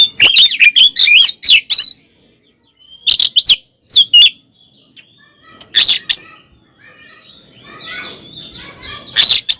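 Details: Oriental magpie-robin delivering a provoking fighting song: a fast burst of sharp chirps, then separated clusters of high twittering notes with soft quieter warbling between them.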